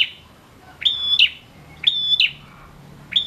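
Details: Male prinia in full song, played to stir quiet prinias into singing; each phrase rises sharply into a high, steady, ringing whistle and ends in a short buzzy flourish, repeating about every 1.3 seconds over a quiet background.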